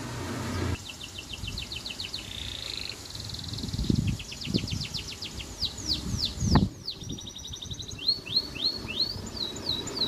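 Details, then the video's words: Canary song with rapid strings of high descending chirps, a held trill and a fast rattle, then looping sweeping notes; low thumps and background rumble underneath. "KENARI LOPER GACOR"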